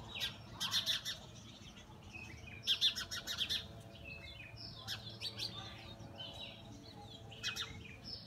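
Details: Two Oriental magpie-robins in a fight, filmed on a mobile phone: clustered bursts of sharp, rapid high chirps separated by quieter gaps, with scattered thin whistles and a steady low background hum.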